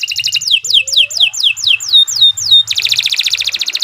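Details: Canary in full, long song meant for training young canaries: a quick trill leads into evenly repeated falling whistled notes, about three per second, ending in a dense buzzy rattle; a faint low hum underneath.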